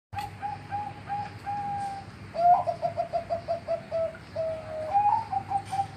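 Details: Zebra dove (perkutut), kept bird in a village in Yogyakarta, Indonesia, in the morning, sings soft high coos, a few drawn-out notes then a quick run of about eight staccato coos ending in longer tones, over a low hum.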